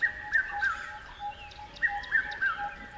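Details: Chirping birds with clear falling notes in short triplets, repeated about twice in three seconds, over a steady soft lower tone.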